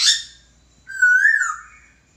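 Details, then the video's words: Laughingthrush master song for training birds: a short bright note, then a single long, level whistle that rises slightly and slurs downward. "Burung Poksay Masteran"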